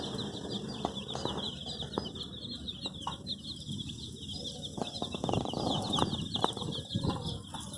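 A crowd of chicks peep nonstop, high and shrill, their chirps overlapping into a dense chatter, with rustling and scuffling beneath.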